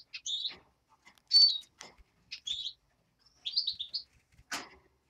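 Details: European greenfinch nestling uttering separate high chirps and one louder buzzy note, followed by a short descending chirp series and a final harsh scratchy sound.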